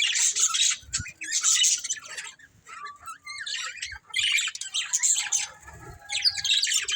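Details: Breeding pair of budgerigars chirping in high, scratchy warbled bursts. The bursts are separated by brief pauses, with faint low knocks underneath.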